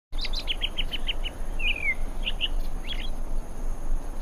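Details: European robin (Erithacus rubecula) singing a quick run of six high, evenly spaced notes, then a thin downward-sliding whistle and a few scattered high notes, over a steady low rumble.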